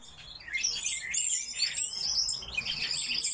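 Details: Coal tits (Parus ater) in an aviary give thin, high, rapid twittering chirps that overlap almost continuously, possibly from more than one bird.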